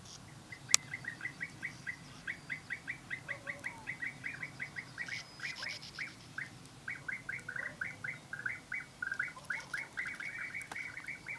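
European bee-eaters give liquid, rolling 'prruip' notes in quick repeated runs, several birds overlapping, over a soft low background hum.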